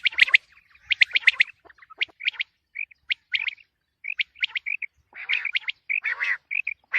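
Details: Quail, tagged as common quail and female quail calling, gives quick bursts of sharp, high chirping notes, often in short clusters of two or three, repeated with brief pauses between them.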